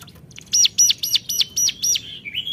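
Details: Hill prinia calling to rivals: six loud, sharp, high notes in quick succession, each an upward then downward sweep, followed by a softer trailing note, with faint low rumble beneath.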